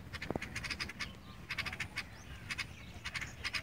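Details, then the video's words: Sparrow chirping: short, sharp chips in quick bursts, several notes in a row, then brief pauses, repeating across the few seconds, with a soft low background hum. "Sparrow sound || sparrow chirping sound"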